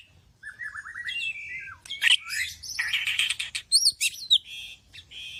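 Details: A constantly singing white-rumped shama gives a quick series of descending whistled notes, then a dense mix of harsh bursts, warbles, and sharp high notes, with a soft low background hum.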